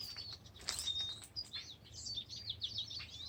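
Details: Wild birdsong: quick, high twittering phrases and short thin whistles tumbling over one another, fairly faint, over a steady low background hum.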